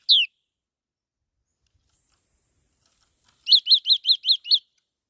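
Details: A single sharp downslurred whistle from a black-throated laughingthrush, then a pause. A faint thin whine follows, then a rapid run of six bright, evenly repeated chirps, each rising and falling.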